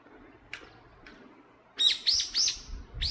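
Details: Great spotted woodpecker met at an entrance, given away by its calls: two faint ticks, then four loud, sharp, high notes in quick succession, each dropping slightly, over a quiet background.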